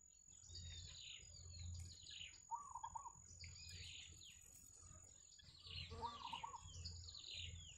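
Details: Yellow bittern chicks and adults at a wild nest: many high, downward-sliding squeaks overlap, with one short wavering chatter and a second busier burst, over low rumbling background and a faint continuous whine.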